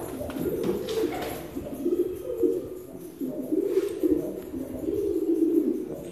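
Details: Filo pigeons cooing: low, throaty rolling coos repeated in overlapping bursts through the whole stretch, with faint background hiss.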